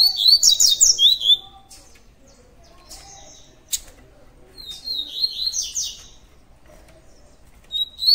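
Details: Double-collared seedeater in the tui tui song style, giving high, rapid twittering phrases of sliding whistles. Bursts come at the start, in the middle and at the end, separated by quiet pauses.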